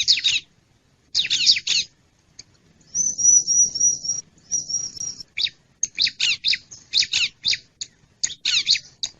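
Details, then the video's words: Wild bar-winged prinia lure call for attracting wild birds: scratchy chip clusters, then a two-part high thin buzzing trill, followed by a brisk series of harsh chips, about four per second. "Suara Pikat Ciblek Liar"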